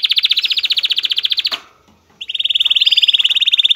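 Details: Excited male canary singing to stimulate females to mate: a loud, fast trill of rapid repeated notes, a brief pause, then another steady buzzy trill that runs to the end.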